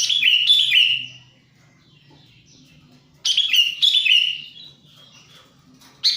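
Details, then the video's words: Lure call of a sooty-headed bulbul, meant to draw in wild birds and to coax quiet bulbuls into calling. A burst of quick chirps slides into a falling whistled phrase, followed by a pause before the next burst begins. "suara pikat burung kutilang"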